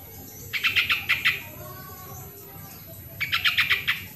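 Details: Lure recording of a sooty-headed bulbul for birds reluctant to sing: two lively phrases, each of six or seven quick, ringing chirps, repeated after a gap of about two seconds against low background rumble.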